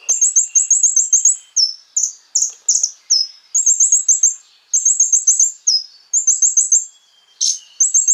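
A sunbird sings high, thin, rapid trills and sharp chipping phrases in quick bursts, almost without pause.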